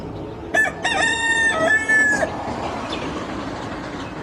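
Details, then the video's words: Rooster on a chicken farm giving a short harsh crow with a broken start and a steady middle, cut off after about two seconds, against heavy broadband background noise. "The Rooster's Crow: The Sound of a New Beginning"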